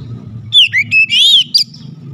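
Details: White-rumped shama, a bird kept to sing boldly, gives a short burst of loud clear whistles: a rising-falling slurred note, a few level whistles and a brief sharp ending, over a faint low hum.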